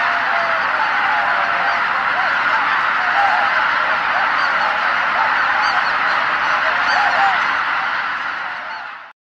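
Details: A dense, unbroken clamor of greater white-fronted geese returning to a marsh roost before sunset, converging from all directions: countless high, yelping double-noted calls overlapping from a large flock, steady throughout with no other clear sounds.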